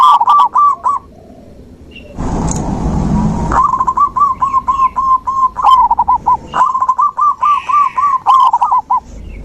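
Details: Zebra dove song used to stimulate a dove that has stopped singing. Long runs of rhythmic, rolling coos, about three or four notes a second, are briefly broken by a loud noisy rush. Faint chirps from other birds sound above.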